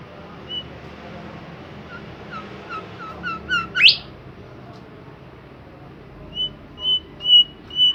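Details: Bimoli bird singing actively over background noise: a run of short rising notes speeding up into a bright upward sweep, then four level whistles at a steady pace.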